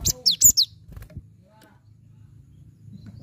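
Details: Cinereous tit lure song for a bird that will not sing: a fast cluster of four or five sharp, high whistled notes sliding downward, then quiet low hum.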